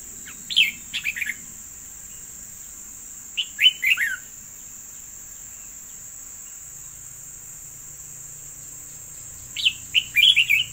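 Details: A yellow decoy bird gives three separated bursts of quick, bright chirping notes, each a short tumbling cluster, over a continuous high-pitched insect hum.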